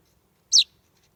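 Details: A chaffinch fledgling on a doorstep under ferns, on a warm summer evening around half past eight, 16 July 2020, gives one short, high, clear chirp that slides downward, with silence around it.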